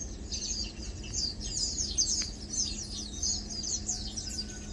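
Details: High, thin contact chirps from several Lowland white-eyes while feeding and preening, bunched in quick overlapping bursts that swell and fade, with faint low-frequency background noise.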